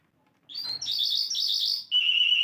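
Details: Asian lark singing: a high trilled phrase near the top of the range, then a buzzy rapid trill and a sustained whistled note, loud and clear with no other sounds.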